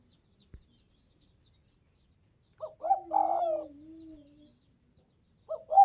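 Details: Spotted dove, Tây Bắc (Northwest) type, cooing a stuttered two-note lead-in and a long descending coo. A low, wavering drawn-out tone runs beneath it, and a new phrase begins at the end.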